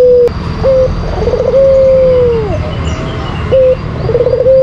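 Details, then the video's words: White collared dove lure song, used to coax kept doves to sing: a short steady coo, then a rolling trilled coo that settles into a long sustained note falling at the end, repeated, with steady background hiss. "Pancingan Puter Putih Terampuh , Full Gacor"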